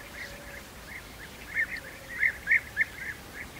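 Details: European bee-eaters feeding their young at the nest give short, burry, mid-pitched calls repeated several times a second, swelling louder in a quick run toward the end, over a faint low hum.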